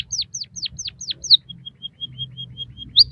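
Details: White-headed munia song for training captive birds: five loud downslurred whistles, a level string of soft high notes, then a sharp rising note, over a low background hum.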